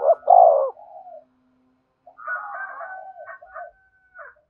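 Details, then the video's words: Spotted dove cooing to stir wild doves into calling and coming in: one loud, hoarse, rolling coo at the start, then softer drawn-out coos and a faint fading series from more distant birds. "Tiếng chim cu gáy thúc bổi, bổi nghe rất nhạy gáy và về cội nhanh"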